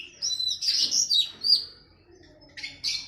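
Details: Training song for a captive oriental magpie-robin, matched with a sooty-headed bulbul. A few sweet, drawn-out high whistles slide up and down, followed by a pause and two brisk chirps.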